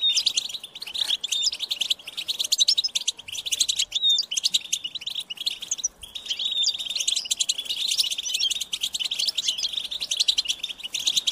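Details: Goldfinch chicks calling parents for food with piercing, insistent chirps repeated in quick succession. A high whistled note stands out near four seconds, with short pauses near four and six seconds.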